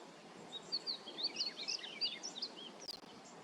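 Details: Painted bunting (Passerina ciris), song.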